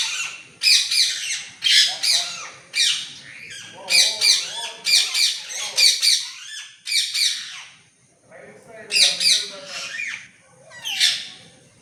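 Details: Green talking parrot at home in Mangalore on 17 August 2025, cool weather: loud, harsh, high-pitched squawks repeated in short bursts roughly every half second to a second, with brief pauses, dominating the recording.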